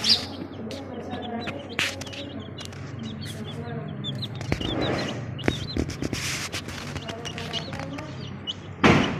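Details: Colourful baby chickens peep steadily, giving short, bright, rising cheeps several per second, mixed with clattering knocks, rustling and faint voices in the background.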